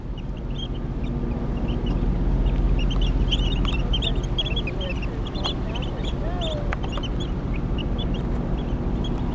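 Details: A foraging flock of American avocets, cooperating to find food in a spoil-area pool in December, gives many short, sharp, high overlapping calls in a busy chatter over a steady low rumble of wind or water.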